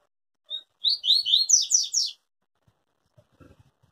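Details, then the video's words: Tui Tui song of a yellow-bellied seedeater (papa-capim), noted as flawless with no breaks: a lead-in note, then about eight fast, high slurred notes climbing in pitch over just over a second, followed by faint low rustling. "Papa Capim Tui Tui zero zero puro"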